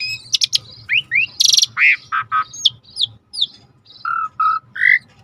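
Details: Gacor suret starling song: high sharp chips and rising whistles, a loud broad buzzy burst, a few falling slurs, then three drawn-out mid-pitched whistles.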